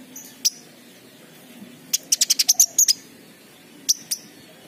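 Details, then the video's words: King konin sunbird lure recording meant to stimulate untrained birds that stay silent: isolated shrill high ticks, then a rapid burst of about eight sharp notes, followed later by two more spaced chips. "pancingan King Konin bahan | malas bunyi | macet"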